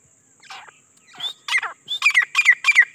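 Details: Grey francolin, called desi or jangali teetar, calling: scattered harsh notes build into a quick run of loud, ringing, whistled phrases repeated about three times a second, with a steady electrical hum behind.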